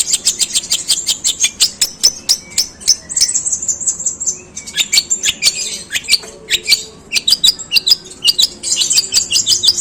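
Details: Long, rough sparrow-imitating song of a long-tailed shrike: dense, fast bursts of shrill, high chirps, several each second, briefly merging into a sustained thin whistle midway before the chattering resumes.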